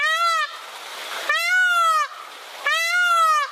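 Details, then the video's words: Peacock giving three loud, drawn-out nasal wails, each an arched, harmonic-rich cry about three-quarters of a second long, separated by short pauses with faint background hiss. "Beautiful Peacock sounds"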